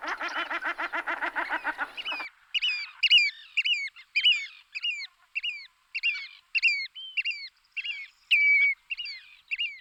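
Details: Migrating Whimbrels passing through and roosting in West Lancashire, UK, give a fast rippling run of about a dozen harsh notes, then short, sharp, up-flicking whistles roughly twice a second, possibly several birds.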